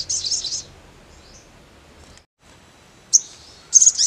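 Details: A crimson sunbird (Aethopyga siparaja) sings a half-second burst of high, thin, buzzy twittering, then, after a pause, sharp high chirps and a short trill.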